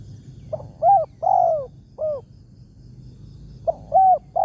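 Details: Spotted dove, a wild target bird with a big voice, lured during a morning decoy-trapping outing; mellow mid-pitched coos in a four-note phrase, the long third note sliding down, then a second phrase begins about three seconds later; quiet background.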